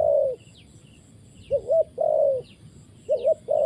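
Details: Spotted dove used as a trapping decoy, giving low mellow coos: a long level note, then paired rising-falling coos, repeating in phrases about every 1.5 seconds, with thin high chirps from other small birds behind.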